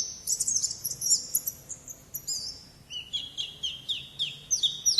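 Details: Oriental white-eye (pleci) singing the wild-type 'ngalas' song style: very high, thin twittering with quick downslurred sweeps, shifting midway to a slightly lower series of short sliding chirps repeated in quick succession.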